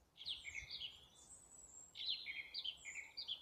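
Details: Birds singing in April, gradually warming up: two lively bursts of high, fast twittering with sliding whistled notes, a short gap between them, steady quiet background.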